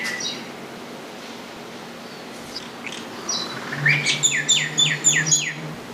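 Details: Common myna calling: scattered high whistled and squeaky notes, then a series of harsh, repeated descending chattering notes in the final two seconds, over a steady low hum and background noise.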